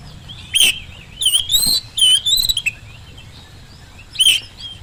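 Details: Oriental magpie-robin lure song to provoke an answer: a few separated bursts of bright whistled notes and short chirps, with quiet gaps of over a second between them and faint background hiss.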